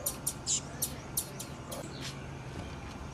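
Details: A female blue-black grassquit gives a quick run of about nine sharp, very high chips in the first two seconds, some doubled, then falls silent against a faint low hum.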